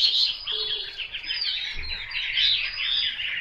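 A Chinese hwamei sings a rich, fast, unbroken stream of varied whistles and warbles, high and bright throughout, with a faint low hum and a soft thump behind.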